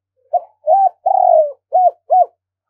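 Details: Decoy spotted dove from Đồng Nai calling to lure wild birds: five low hooting notes in sequence, a short opener, a rounded coo, a long falling tremulous coo, then two clipped coos.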